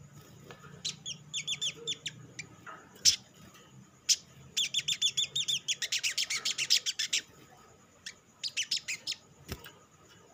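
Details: Lure song of the olive-backed sunbird, played to prompt other sunbirds to sing: bursts of quick, high, twittering notes, then a long rapid chattering run and a final short flurry.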